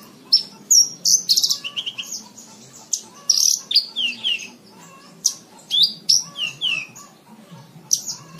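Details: Lark song in Indonesia, a one-hour recording for training cage birds: a varied, lively run of high whistled notes, sharp chirps and down-slurred phrases, uneven spacing, with a faint low hum beneath.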